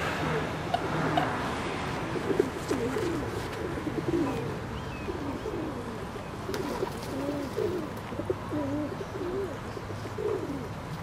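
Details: Ring-necked duck uttering a run of low, wavering cooing notes, some rising and falling, coming in quick succession against continuous low background noise.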